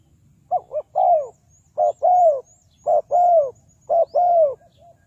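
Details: Spotted dove from Ninh Thuận, Vietnam, used as a lure bird for trapping wild doves. It calls in three phrases, each a quick double coo then a longer falling croon, repeated about every second. Faint high chirps sound in the background.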